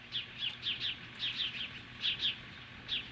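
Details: An osprey confronting magpies at its nest near Lolo, Montana, in July 2015 utters short clipped whistles, paired or in quick runs, fairly evenly spaced over a few seconds.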